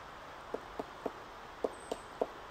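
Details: A pileated woodpecker at Five Brooks, Point Reyes, California gives a series of seven low, hollow wuk notes, about four per second, with one short pause midway, over a faint steady hiss.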